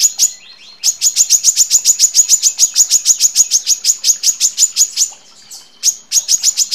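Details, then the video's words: Rapid chatter from a female brown-throated sunbird calling males. Thin, piercing chips come in a fast, steady string of over twenty notes, pause briefly, then restart. "MASTERAN KORLAP BETINA FULL TEMBAKAN RAPAT PANJANG"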